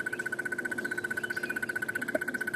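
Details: A Crested Barbet, hidden in a tree overhead, heard on a walking safari on a hot, cloudless February morning: a long, unbroken trill, an even, ringing mid-pitched run of about twelve notes a second, all in one breath.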